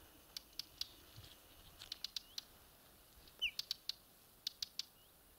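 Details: Whinchat on Exmoor: faint, sharp dry ticks repeated at irregular intervals, with a single short descending whistle near the middle, over quiet open-country background.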